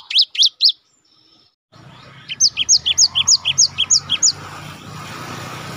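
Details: A Java sparrow, a caged songbird kept in Indonesia, sings in a style used to train and stimulate other birds: three loud high chirps, a pause, then a fast even series of about eleven sharp paired chirps over a steady low hum.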